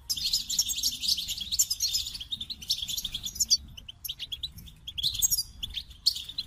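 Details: Goldfinch in full song, a continuous stream of high, tinkling twitters and trills with scattered short chip notes and brief gaps.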